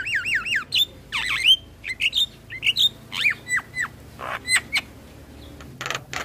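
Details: Asian pied starling in morning song, opening with wavering whistled trills, then sliding whistles that drop in pitch and short raspy squawks, loud and irregular.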